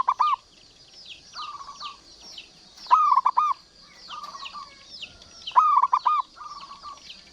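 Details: Zebra dove, local Indonesian perkutut, singing actively to stir quiet or stressed doves: rolling, trilled coos repeated about every second and a half, some phrases longer and louder, with thin falling whistles from other birds behind.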